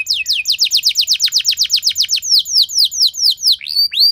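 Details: Loud canary song used to prompt other canaries to sing: a run of fast downward-sweeping whistled notes, about five per second, slowing toward the end into separate rising-falling whistles.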